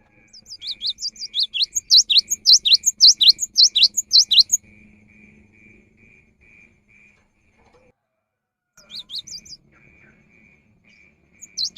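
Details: Cinereous tit singing energetically, used as a lure in the rainy season: a fast run of about a dozen sharp, rising whistled notes, then a pause, then a shorter burst of similar notes. A steady faint pulsing insect-like tone continues behind.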